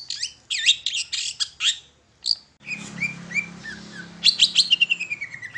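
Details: Shrike lure song, long-tailed shrike: harsh, high chattering notes, a brief silence, then softer upslurred whistles and a closing run of chips ending in a long falling whistle; faint hum behind.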